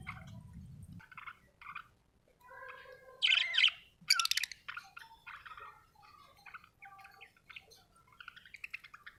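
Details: Australian budgerigar chattering: a brief low rumble at the start, then a lively stream of squeaky chirps and buzzy warbled notes, loudest in the middle, tapering into rapid soft twitters.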